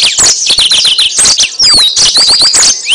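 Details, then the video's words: Yellow-fronted canary, called mozambik, singing as trapping bait: dense high warbling with quick repeated notes, a long descending whistled slide near the middle, then rising slurred whistles. "Suara Burung Mozambik Buat Pancingan"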